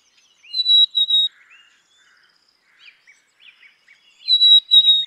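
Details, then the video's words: Black-capped chickadee singing two clear whistled notes, the second slightly lower and split, given twice about 3.5 seconds apart, with soft scattered chips in between. "Black capped Chickadee Song ! Black capped Chickadee Sound ! Black capped Chickadee Call"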